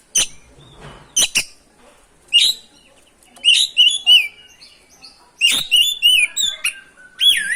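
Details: Lively oriental magpie-robin song used to provoke other birds to sing: sharp clicks followed by loud bursts of rich whistled, warbled and slurred notes with varied twists, delivered in rapid groups.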